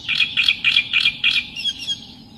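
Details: Reed warbler song: five harsh, chattering bursts at a steady beat in the first second and a half, then thinner, fading scratchy notes.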